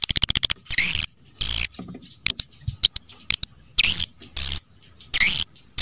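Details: Swiftlets give a quick run of dry clicks, then loud bursts of high, buzzy twittering chirps, repeated about every second with short gaps, a call recording played to attract swiftlets.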